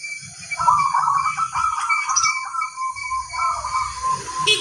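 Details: Zebra dove of a local line singing: a blurred, continuous stream of soft cooing notes drifting slightly downward, with steady high hiss and a faint high chirp at the end.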